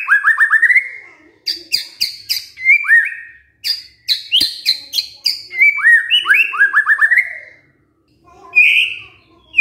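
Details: Lure song of a white-rumped shama meant to provoke a quiet male into singing: quick bursts of rising whistles alternating with loud harsh clicks and buzzy notes, broken by short pauses and ending in a rich warble.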